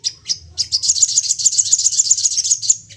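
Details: Excited crested jay calling rapidly to provoke other birds into calling: a few separate sharp, high chirps, then a fast, even run of about a dozen piercing notes with a faint low hum underneath.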